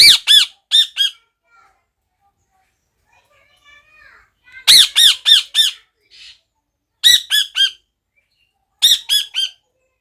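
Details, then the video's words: Parrot giving loud, harsh, arched squawks in quick bursts of two to four, the groups separated by pauses of about two seconds, with a few faint softer sounds between bursts. "পাখিটা কি বলছে আপনাদের একবার শুনুন | parrot"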